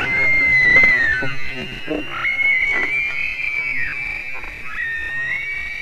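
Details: White-tailed eagles at a nest in Latvia on 18 July 2019, as one young bird kicks the other out of the nest: high, thin whistled calls, some drawn out and some dropping in pitch, over a low rumble of wind.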